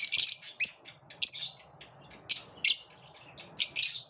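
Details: Shrill, buzzy lovebird chirps during a competitive moment, loud clustered bursts at irregular intervals of about half a second to a second.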